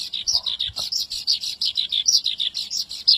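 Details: Javan bush lark pouring out brisk high chirps about three per second, with a faint low voice-like sound early on beneath the song.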